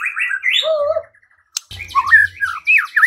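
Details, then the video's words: White-rumped shama song played to provoke singing and fighting: quick warbled whistles drop to a low, wavering note, pause, then resume with a click and a lively, varied whistled phrase over a faint hum. "Murai batu LANGSUNG TARUNG dan IKUT GACOR dengan pancingan seperti ini"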